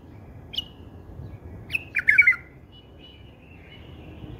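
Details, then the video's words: Bulbul song of a style favoured by bulbul breeders: a lone sharp note, then a brief pause and one fluty, warbling phrase of quick notes, with soft faint twitters afterward over low hum. "هاي أللغه يعشقه كل مربين البلابل"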